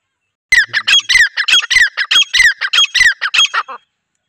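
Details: Calling female grey francolin, as used to attract wild birds for trapping: a fast run of loud, harsh, ringing squawks, roughly a dozen notes in three seconds, clear against a quiet background.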